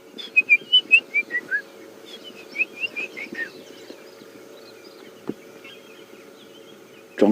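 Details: A White-browed Scrub Robin on an African safari morning drive at dawn gives a quick run of clear, descending whistled notes, then a looser second burst, over a steady vehicle engine hum.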